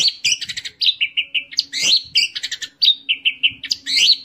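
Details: Orange-headed thrush singing a rapid, varied phrase of high chirps, trills and repeated whistled notes, with bright slurred notes and short buzzy bursts packed closely throughout.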